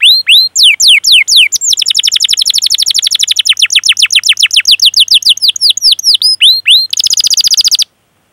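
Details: Long-singing canary giving ngerol rolling song as a lure for young, untrained or silent canaries: looping swoops lead into an extended rapid rolling trill, a denser buzzy burst, then sudden silence.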